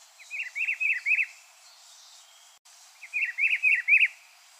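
A rufous-browed peppershrike sings a rich, warbled phrase of four or five quick rising-and-falling notes, then repeats it after a short pause. Faint background hiss.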